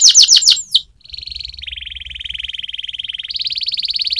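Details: Canary training song: a few loud falling whistled notes, then long rapid trills, a high buzzy roll shifting to a lower steady trill and rising back to a higher rolling trill.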